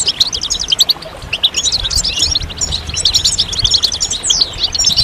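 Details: Several European goldfinches twittering together in a group song meant to stimulate males and bring them out of moult: dense, bright, high chattering notes with quick trills and a few rising slurred whistles, low rumble underneath.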